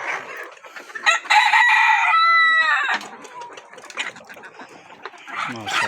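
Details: A rooster crows once, a strong drawn-out cock-a-doodle-doo with a sliding final note, followed by scattered clucks, background noise and a short burst of clapping.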